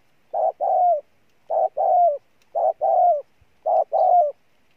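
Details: Spotted dove, recently captured from the wild, cooing hard: four evenly spaced two-part phrases, a brief note followed by a longer coo that dips at the end, about one each second.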